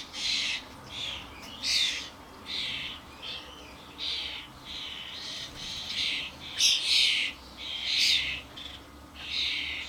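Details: Adult common starlings with their fledglings in a garden, crowding onto a bird feeder with suet blocks amid a great commotion; harsh, buzzy chattering bursts come repeatedly, about one each second, several birds calling over one another.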